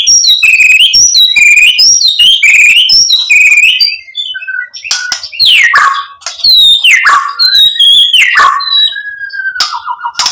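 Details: White-rumped shama song for provoking another bird into singing; quick repeated chirping phrases at first, then long descending whistled slurs and a closing series of steady, level whistles.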